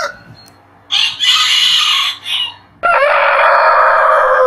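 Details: Rooster crowing in the morning: harsh, hoarse, noisy bursts, then a long, loud, rough crow sustained to the end, with little clear tone.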